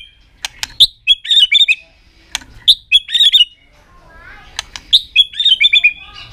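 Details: White-rumped shama, tail-flicking in an aggressive display to provoke other birds, delivers short bursts of clear whistled notes and quick chattering phrases, broken by sharp clicking snaps between the phrases.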